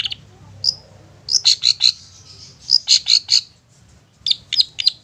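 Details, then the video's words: Long-tailed shrike in the style called satu titik nagen tegak, used as a lure for young or wild shrikes: clusters of sharp high chirps in short rapid bursts separated by pauses, over a faint low hum. "CENDET SATU TITIK NAGEN TEGAK COCOK BUAT PANCINGAN SUARA CENDET BAKALAN atau MUDA HUTAN"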